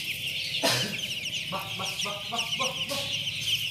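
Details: Crowd of first-day chicks on a poultry farm in Chimmad, Bagalkot district, giving constant high overlapping peeps, joined by a loud knock and a run of short lower pulsed notes midway.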